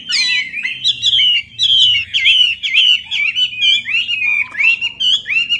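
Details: Melodious laughingthrush, known as the Chinese hwamei, in lure song: bright, ringing whistled phrases about twice a second, each slurring up and down, with chattering notes between them and a faint low hum behind.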